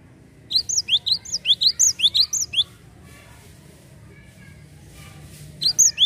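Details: Java sparrow lure calls to prompt other birds: roughly eleven sharp, high chirps in a fast string, a pause of about three seconds with faint background hiss, then the chirping resumes.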